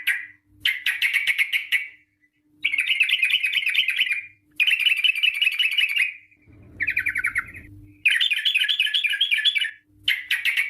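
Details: Sooty-headed bulbul in long, rapid song used as a lure to draw bulbuls into singing: bursts of bubbly, warbling chatter, each phrase fast and rolling, broken by short pauses, with a faint low hum between phrases.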